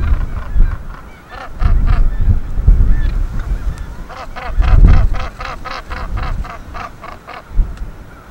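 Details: Northern gannets atop Bempton Cliffs at their breeding colony in breeding season, busy with breeding duties; harsh, grating calls given in rapid rasping bursts of several notes per second, over a steady rumble of wind.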